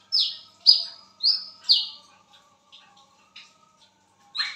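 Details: At midnight a wiceh bird calls with four loud, high, falling whistles in quick succession, then only faint scattered chips before one more note.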